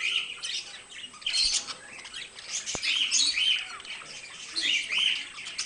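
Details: Two pet budgies warbling and chirping together in a steady stream of scratchy, high twittering notes, quick squeaky trills and short whistled chips overlapping with no pause.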